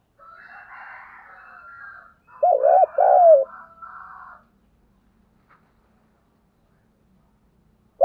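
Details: Spotted dove lure call for morning use: other birds twittering first, then a short phrase of two arched low coos with a falling tail, silence, and the start of another coo at the very end.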